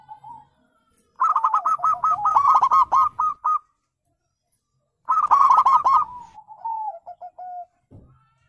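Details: Zebra dove call played as a lure to draw answers from other birds: two long runs of fast, stuttering clipped notes, the second easing into a trailing, wavering coo.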